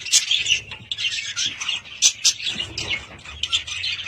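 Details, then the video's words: Pet budgies give sharp squeaky chirps and squawks in quick uneven bursts, several birds calling over one another. "Budgies sound"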